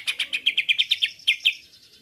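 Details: Greater green leafbird lure song: a brisk, even series of about eleven bright chirps at roughly five per second, fading into a high thin tail.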